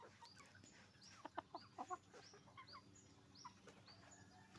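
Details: Hens and roosters on a chicken farm clucking in quick, uneven bursts, several birds calling over each other above a steady low mechanical hum.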